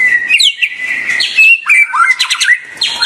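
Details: White-rumped shama giving a long level whistle, then swooping slurred notes and quick chirps, about three notes a second.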